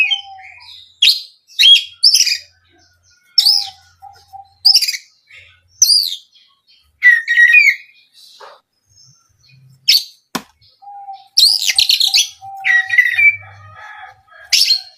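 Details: Oriental magpie-robin singing as a provoking lure, separate bursts of high buzzy chirps and short whistles with gaps, a soft low whistled note repeated in the background.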